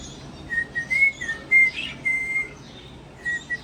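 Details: A pet cockatiel, being taught whistled tunes and already knowing three, whistles a string of clear, steady, high notes with short gaps, like a learned tune; brief rustling burst and soft background hiss.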